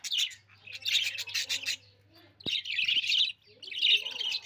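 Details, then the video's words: Budgerigar chattering in dense, scratchy warbled bursts broken by short gaps, with a sharp click near the middle and a low steady hum in the background. "budgie bird chirping sound"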